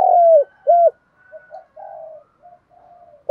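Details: Spotted dove cooing as a lure to stir wild doves into fighting. One long falling coo and a shorter hooked one, followed by fainter, muffled low coos.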